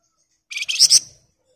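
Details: Sunda bush warbler in ngebren song: a single short, high, buzzy phrase rising to two loud pulses near its end.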